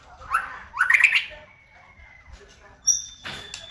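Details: White-rumped shama singing, used as a lure to provoke other shamas into song: two quick rising whistled bursts, a long steady thin whistle, then brief high notes and a final rough burst.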